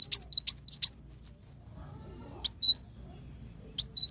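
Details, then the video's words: Kolibri wulung sunbird song used as a training recording for songbirds: a quick string of high, piercing chirps and short downward whistles, then a gap and two brief sharp note pairs, with background hum. "suara burung kolibri wulung"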